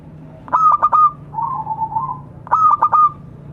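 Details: Zebra dove of a local strain calling to companions: two stuttering phrases of clipped bright notes ending in a held coo, with a softer wavering coo between them.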